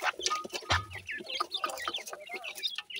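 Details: Grey francolin chicks from captive breeding in Punjab, giving a rapid scatter of short, thin peeps, some rising and some falling, mixed with soft thumps and rustling handling noise.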